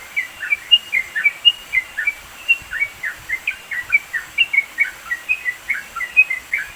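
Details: Sooty-headed bulbul, East Java mountains, Indonesia, recorded as training song for songbirds: steady chain of clear chirped notes, about three per second, alternating upward and downward slurs, with a faint high hiss underneath.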